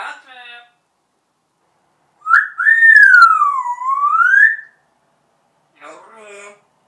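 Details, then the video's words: Pet parrot indoors, kept two years and known for singing a march: brief chattering syllables, then a long loud whistled phrase sliding down and rising again, followed by softer harmonic chatter. "Marş Söyleyen, Konuşan Papağan"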